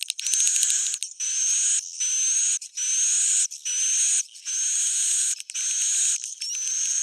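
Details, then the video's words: Swiftlets in the old "jadul" style: rasping bursts roughly once a second, a bright high whistle rising slightly within each, after an opening of quick chirps. "SUARA JADUL Sudah Terbukti,swallow's original sound"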